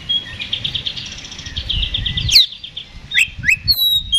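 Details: Oriental magpie-robin singing in a fighting mood, used as a lure to provoke a response: rapid trilled series of bright notes around mid-high pitch, then sharp whistled slurs and clicks, with low rumbling background noise.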